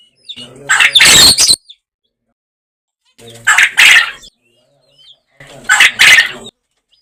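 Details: Three loud, scratchy bursts from a farm quail recorded in a natural environment, each quickly stuttered into two or three harsh pulses, spaced about two and a half seconds apart.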